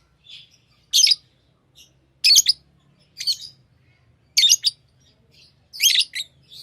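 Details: Chirping lovebirds giving shrill high squawky calls in bursts roughly a second or more apart, with a few softer faint chirps between them and quiet background.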